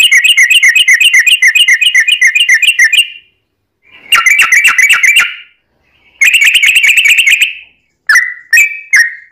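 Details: Sooty-headed bulbul in full long rolling song, played to lure others into singing: three dense buzzy chattering bursts separated by short pauses, ending with a few loud slurred whistled notes.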